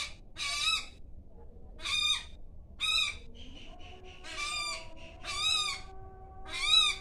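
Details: An Asian koel perched in a tree by a house on an afternoon gives loud, harsh, rasping 'kya' notes, about six in seven seconds, each a short grating burst, over a faint low background hum.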